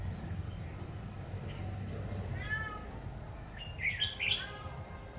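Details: Decoy red-whiskered bulbul at a trapping site, uttering a faint slurred note, then a quick cluster of bright chirpy whistles near the end, over steady low background hum.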